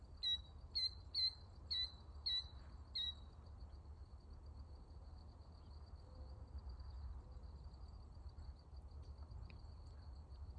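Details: Killdeer watched on June 19, 2024: a quick run of five loud, sharp piping notes about half a second apart, then quiet with a constant high insect drone and low background rumble.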